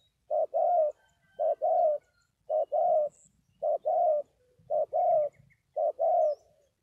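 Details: Spotted dove repeating six paired coos, a clipped first note and a fuller second, roughly once a second, soft and rounded with a quiet low hum behind.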